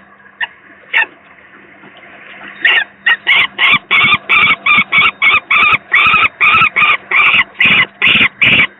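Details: Second young peregrine falcon, very unwell, at the PGE power station nest in Gdynia, Poland, 18 May 2023, captured from an online stream: a few scattered faint notes, then a steady series of harsh, scratchy cries about twice a second over faint hum.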